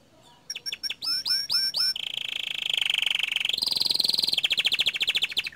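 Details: Gacor dor canary song: a few sharp sweeping notes lead into long, buzzy, high rolling trills that step up in pitch, then continue as rapid pulsed chatter.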